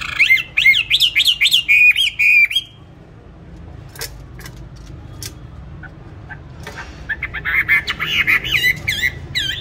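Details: Cage-kept songbird on a stable bran feed, bought 19 May 2020, singing at any time and place: a rapid run of bright, looping whistled notes, a pause with faint clicks, then another quick rolling burst of high warbles.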